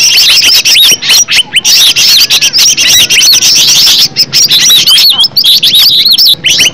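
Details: Green leafbird singing in a natural recording meant to make other leafbirds respond: dense, high whistled slurs and crisp chips, loud and fast, with a brief lull about two-thirds of the way through.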